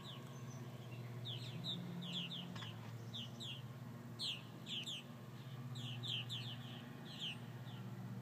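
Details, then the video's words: Purple martins calling after several hawk attacks: repeated short chirping, gurgling notes in loose bursts, several birds overlapping, over a steady low hum. "Purple Martins after several hawk attacks"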